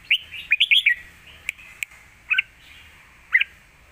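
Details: Lak wai style song of a red-whiskered bulbul, used as a master song for teaching young birds: a rapid string of clear, bouncing whistled notes, then single short chirps spaced about a second apart, with faint clicks.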